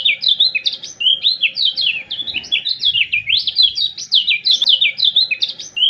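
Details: Lombok common iora singing as training audio for captive birds: a continuous, lively warble of quick whistled slurs rising and falling, with no pause across six seconds and a faint low hum beneath.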